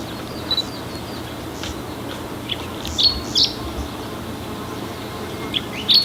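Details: A chestnut-eared bunting (Emberiza fucata) singing in Oku-Nikko, Japan, gives brief, high chirping notes in scattered short bursts over a steady background hiss.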